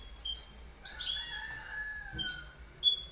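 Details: Goldfinch giving short, thin, high call notes in quick pairs and small clusters. A faint lower drawn-out sound runs across the middle of the clip.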